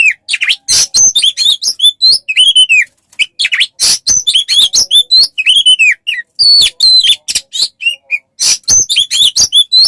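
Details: Oriental magpie-robin song for tutoring songbirds, a long varied stream of loud chips, buzzy bursts and looping whistles, briefly pausing once, then resuming just as fast.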